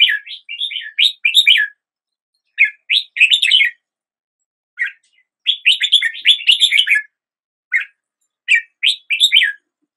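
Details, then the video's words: Red-whiskered bulbul song to start the day: quick repeated upslurred whistles in lively phrases of several notes, separated by pauses of about a second, with no other sounds. "Red whiskered Bulbul Song"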